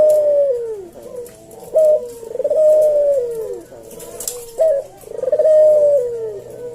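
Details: Slow senggang cooing of a Javanese collared dove for training cage birds: three 'kuk-deruk' phrases, each a clipped first note and a long sliding coo, roughly every three seconds, over a faint low hum.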